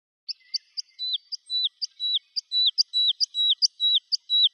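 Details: Woodlark (Lullula arborea) song: a steady, liquid series of short high chirps alternating with clear downslurred whistles, about two phrases a second, with nothing else audible.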